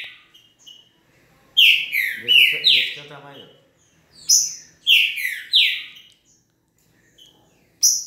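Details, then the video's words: A green-winged saltator sings two quick bursts of loud, clear, slurred whistles, each note dropping in pitch, with short pauses between phrases. "TRINCA-FERRO VELOCISTA"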